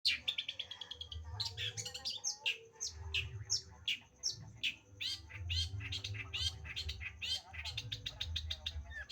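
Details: Long-tailed shrike (cendet) in lively song: rapid varied chattering notes and sharp high chips, dense and busy throughout, with a steady low hum underneath.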